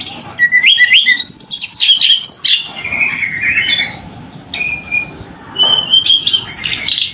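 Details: Tledekan singing vigorously: clear whistled notes, some rising and some falling, in quick varied phrases with a few harsher squawk-like notes, over a faint low background hum.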